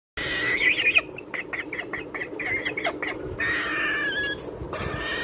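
A Triton cockatoo gives harsh, raspy screeches, a loud burst at the start and another near the end, with scraping noises between them.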